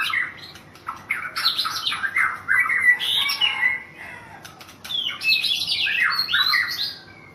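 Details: Rapid, varied song of a white-rumped shama, a national champion in Thailand: dense bursts of whistled and harsh scratchy notes, some short clicks, with a quieter gap before a second loud burst.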